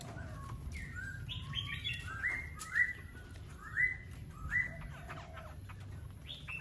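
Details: Singing laughingthrush: a short opening of mixed whistles, then a series of loud, downslurred whistled notes repeated roughly once a second, over faint low background noise.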